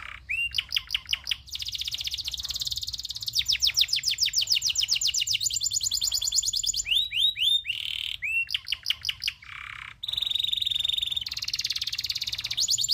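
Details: Local canary tutor song with long rolling trills: rapid repeated notes in fast runs, rising sweeps, and dense chattering phrases that switch abruptly every second or two, high-pitched and continuous throughout.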